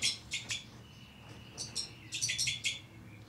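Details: Captive breeding pair of two-barred crossbills with young, recorded in 2012: short bright chirps in quick clusters, a thin drawn-out whistle between them, and a low hum in the background.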